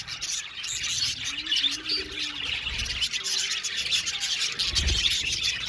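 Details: Budgerigars in an aviary twitter and chirp nonstop, a dense high chatter with occasional clearer whistled notes, over soft low tones and thuds.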